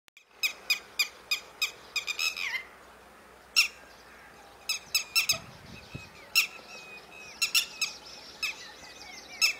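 Northern Lapwing giving a rapid run of sharp, high, wheezy calls, several slurring downward, coming in bursts over a quiet rural background.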